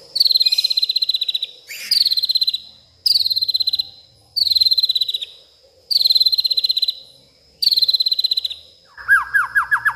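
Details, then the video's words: Agitated White-rumped shama at night in a garden, voicing its mimicked repertoire: rapid high buzzy trills about a second long, repeated every second or two, then lower quick rising notes, over a steady high tone. "malam hari malah koar koar,,,murai batu ngamuk isian se kebon keluar"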